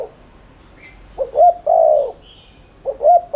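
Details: Urgent 'thúc' cooing by a spotted dove, used as a lure to stimulate cooing: low phrases of a brief doubled note and a sustained hollow coo, with faint high chirps of another bird in the gaps.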